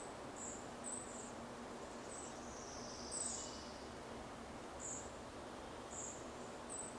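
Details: Juvenile red-breasted flycatchers (Ficedula parva) in forest at Zartovka, 14 June 2012: thin, very high, short contact calls about one every second, over steady background hiss.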